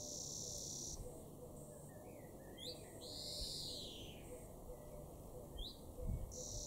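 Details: European greenfinch calling in a garden at Weener, East Frisia, in June 2022: high thin tones, brief chirps and one loud, drawn-out, buzzy wheeze midway, with a low continuous hum and a few faint knocks.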